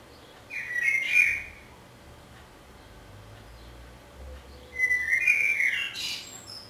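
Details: Common blackbird in song, Budapest, 27 May 2014, recorded from a window hide: two separate mellow whistled phrases about four seconds apart, each closing with a squeaky high twitter, quiet pause between.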